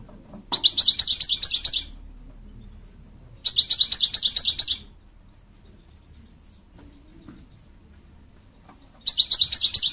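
American Goldfinch giving three high, rapid twittering bursts, each lasting just over a second with pauses between. Quiet background otherwise.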